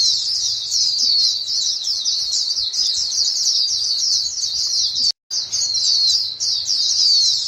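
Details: White-eyes in a flock exchanging calls: a thick wash of shrill, rapid chirps above a faint low hum, broken by one clear silent gap after five seconds.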